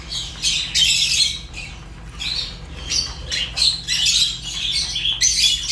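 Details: Fischer's lovebird giving harsh, high-pitched squawking chirps in rapid overlapping bursts, nearly continuous over several seconds, with a faint low hum in the background.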